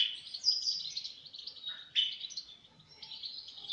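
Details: European goldfinch singing a steady stream of high, tinkling twitters and quick chirps, with a sharp accented note midway and rapid trilled phrases toward the end.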